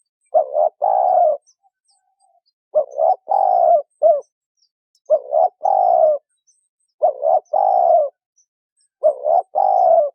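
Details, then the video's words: Hen spotted dove calling to stimulate a male: low, husky cooing phrases of a quick double coo and a long falling note, repeated about every two seconds. "Tiếng chim cu gáy mái kích trống gáy gù"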